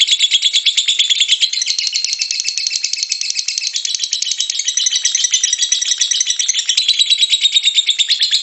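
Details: Continuous ngekek chatter from a lovebird, used as a lure so other lovebirds start singing: a long, rattling stream of fast, shrill, buzzy notes that barely varies throughout.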